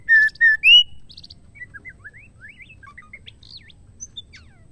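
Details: Female white-rumped shama singing, a sound said to stir males into singing: three loud, harsh, buzzy notes open, then a run of quiet, varied whistled slurs and chips, some rising, some falling, over a low background hum.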